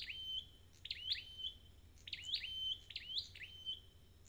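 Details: Red-headed bird, kept for recovery, giving rapid high phrases of upward sweeps into level whistles, about four in quick succession, with a low steady hum underneath.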